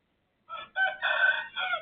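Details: A neighbour's rooster crowing at 03:35 at night on 18/12/2567: a harsh, broken crow of several loud harmonic syllables, rising into a sustained middle section then trailing off, with no other sounds.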